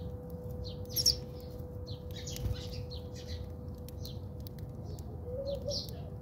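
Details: House sparrows fighting in a backyard in South Africa: scattered short, bright chirps at irregular intervals, some louder than others, over a steady low hum and background noise.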